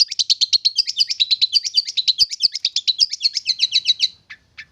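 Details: Tamed young wild long-tailed shrike, kept about three months, singing: a dense continuous stream of rapid scratchy mimic-like notes for four seconds, ending with two isolated calls.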